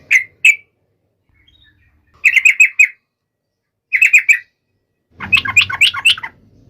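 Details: Sooty-headed bulbul in strong voice, calling a rival. Two sharp chirps, then two quick clusters of four or five bright notes separated by silence, ending in a denser, buzzier burst of chatter.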